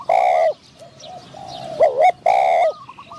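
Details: Spotted dove used as a lure for wild doves at a trap. Two sustained, slightly quavering coos bracket a softer middle section with a short sharp click.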